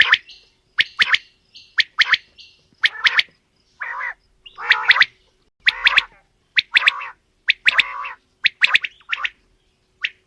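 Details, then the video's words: Mixed female and male quail calls: bright, clicky chirps and fuller raspy bursts alternate in an irregular series over ten seconds, with brief pauses between groups. "Female Batair Calling | Male Batair Sounds | Mix Calling| Batair Ki Awaz | Batair Ki lambi Awazay"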